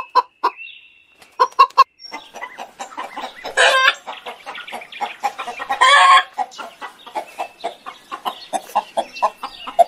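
Chickens cluck in short, repeated bursts, several birds overlapping, with a couple of louder, harsher squawks breaking through the steady clucking.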